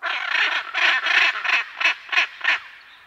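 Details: {'text': 'Hyacinth macaw pair calling at close to medium range: eight harsh, raspy squawks in a fast run, roughly three per second, fading slightly toward the end, with other parrots and birds faintly behind.'}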